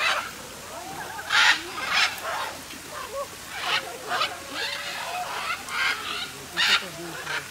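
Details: Several macaws calling inside a large aviary at Parque das Aves in Foz do Iguaçu, Brazil: loud, hoarse screeches spaced a second or so apart with quieter chattering and background murmur between them.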